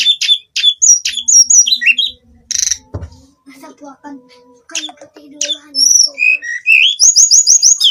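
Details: Hill blue flycatcher in daily song: quick high chirped notes, a pause with soft low murmurs behind, then bright slurred whistles ending in a rapid series of repeated high notes.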